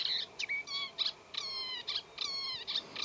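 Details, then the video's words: Acrocephalus scirpaceus singing in a reed bed, mixing its scratchy chatter with mimicked calls: short harsh bursts alternating with clear whistled, slightly descending notes, several phrases within three seconds. "Eurasian Reed Warbler Song | Acrocephalus scirpaceus Singing"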